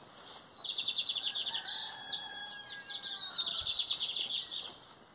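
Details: Lined seedeater singing in the metálico and torneiro song styles, 2023 season: buzzy, metallic trills of rapid pulses, one early and one late, with a jumble of quick notes and long steady whistles between them.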